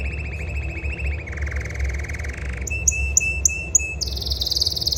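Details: Caged canaries in Jeddah, singing happily to celebrate new eggs. Long rattling trills change pitch in steps, then short bright notes repeat about every quarter second before a high, buzzy trill. Steady low background rumble throughout.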